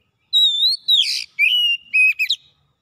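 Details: Oriental magpie-robin (kacer) delivering gacor isian song: a long level whistle, a rough buzzy burst, then further held whistles and quick clipped notes over about two seconds.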